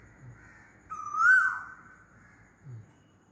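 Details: A single loud Asian koel call, one clear whistled note that climbs in pitch and then falls off, with faint low rumbles before and after.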